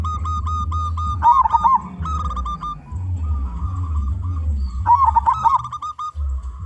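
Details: Local zebra dove with a strong voice, sung as a lure for other zebra doves. Two fast, warbling coo phrases rise over runs of short tonal notes, with a steady low hum throughout.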